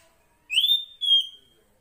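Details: A wild female Oriental magpie-robin (Copsychus saularis) calling to the male gives a clear two-part whistle, a rising note then a level, slightly falling one, about one second long, with no other sounds.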